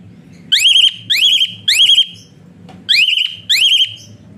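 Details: Asian pied starling whistling in the rough, close-fired style, a tutor sound meant to spur quiet birds into singing: five bright upward-sweeping whistles, each ending in a flat trill, spaced about half a second apart.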